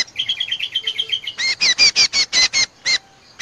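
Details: Common Iora lure recording used to attract cucak combo: a thin, fast run of lighter chirping notes first, then a sequence of loud harsh chattering notes, ending in near silence.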